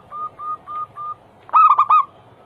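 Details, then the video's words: Zebra dove song for prompting other doves: four short even hoots spaced evenly, then a loud bubbly burst of three to four rolling coos. "Masteran Pancingan harian burung perkutut Anggungan paling ampuh langsung bunyi hitungan detik"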